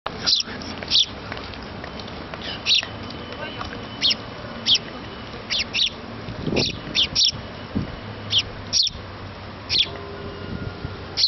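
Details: Young sparrow chick begging its parents for food while being fed: short sharp high chirps, single or in quick pairs, every second or so over a steady low background hum.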